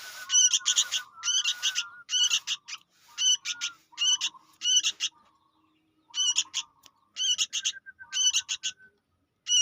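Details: Young sooty-headed bulbul, recorded as a lure for catching birds, calling steadily: harsh, raspy, buzzy bursts in quick clusters of two to four, separated by short gaps, over a faint, lower, wavering whistle.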